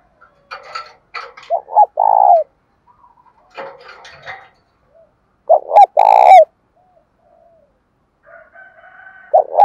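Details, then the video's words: Spotted doves, cock and hen, whose calls are used to prompt kept doves to call: repeated phrases of short notes and a long buzzy coo, interleaved with sharp, high, scratchy chirps and clicks. "tiếng chim cu gáy kích bổi hiệu quả hàng ngày"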